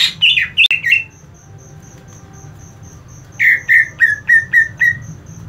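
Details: Greater green leafbird (cucak ijo) fighting call: rough descending chirps and a sharp click open, then a steady high ticking while a row of six evenly spaced downslurred whistled notes repeats about every third of a second.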